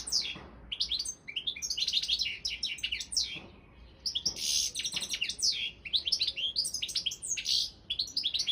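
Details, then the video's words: European goldfinch, Balkan subspecies, singing for a world song championship: long run of bright twitters, rising whistled slurs and scratchy buzzes, with a few brief gaps between bursts. "Pesma štiglića 002/23 World Championship in Goldfinch Song"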